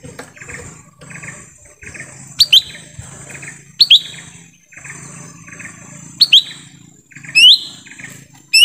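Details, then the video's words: Lesser green leafbird in forest, heard as a lure for wild birds: paired loud whistles rising then dipping, repeated every one to two seconds, against a constant bed of soft chirps and insect buzz. "suara asli pikat cucak ijo mini di hutan"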